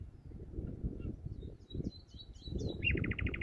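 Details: Common nightingale (Luscinia megarhynchos) singing on a spring evening, 24 April 2019, in the dunes of Bergen/Schoorl, Holland: thin, high chirps then a fast rattling run of repeated notes, over a steady low rumble of wind or distant traffic.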